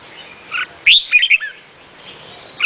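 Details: Red-whiskered bulbul of the Vietnamese type, giving short, bright chirping phrases that rise and fall, with a louder warbled burst near the middle and a brief note at the end, over quiet background hiss.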